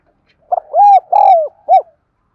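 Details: Spotted dove cooing, used to train the voice of newly caught birds and as a lure: one phrase of a short soft note, two long arched mellow coos, and a clipped final coo, in a quiet setting.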